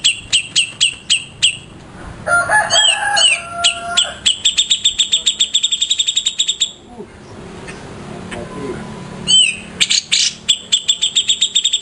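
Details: Master-bird Grey-cheeked bulbul (cucak jenggot). It alternates long volleys of rapid, staccato high chips with a jumble of varied whistles and slurred notes, with a brief quieter pause midway.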